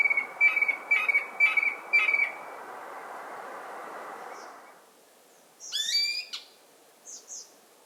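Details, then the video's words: Male Eared Quetzal singing near the nest in the Sierra Madre Occidental of Chihuahua, Mexico: four clear whistled notes about every half second. After a pause come higher, chirpy notes, then soft faint calls. "Eared Quetzals are exceptionally shy around the nest, and we are particularly pleased to be able to film this male singing."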